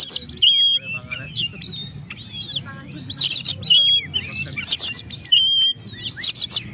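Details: Singing Oriental magpie-robin, used as a lure to stir up rivals; clear whistled notes and twisting slurs alternate with loud rasping bursts repeated roughly every one to two seconds, with soft background hum.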